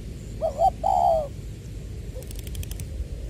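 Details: Spotted dove decoy bird from Long Đức, Trà Vinh, singing in the 'giọng tiểu' voice style, recorded 22 February 2021: a quick wavering double coo, then a longer falling crooo, followed by a faint low note and steady background hiss.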